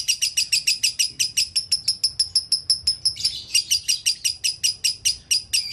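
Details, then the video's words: Gacor konslet singing of a lovebird, recorded as a training master: a steady stream of sharp, high chirps about four per second, with a brief buzzy blur partway through. "LOVE BIRD GACOR ( KONSLET )"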